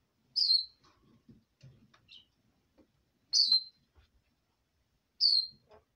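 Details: Female pet red lorikeet at bedtime giving three sharp, piercing, descending squeaks roughly two to three seconds apart, with quiet ticks and mutters in between.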